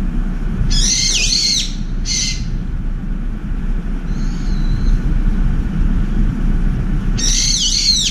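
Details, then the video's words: Angry brown-eared bulbul at a window feeder screeching to drive off an oriental turtle dove: three harsh, piercing, downward-sweeping shrieks, one near the start, one shortly after, one at the end, a faint thin whistle midway, over a steady low rumble. "직박구리와 산비둘기 전투의 시작, 직박구리의 샤우팅공격"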